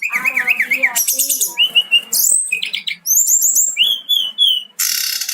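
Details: Brown-chested jungle flycatcher singing a long rolling song: rapid varied phrases of wavering whistles, buzzy trills and high sweeping notes, tumbling on without pause, ending in a harsh hissing burst.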